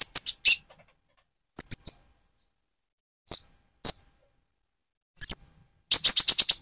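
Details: Singing Van Hasselt's sunbird, spotted trotol plumage, used to stimulate another bird. Sparse, high, sharp chirps and short thin whistled notes with long gaps, ending in a fast burst of buzzy twitters.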